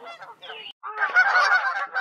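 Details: Geese fighting at a beaver pond in late spring while other geese call as if cheering them on; loud harsh overlapping honks and squawks, a brief pause, then a dense chorus of blaring honks.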